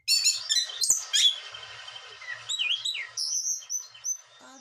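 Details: Blue whistling thrush kept caged in Bogor, agitated, giving a short burst of high chirps followed by long level whistles and sliding notes that fade toward the end.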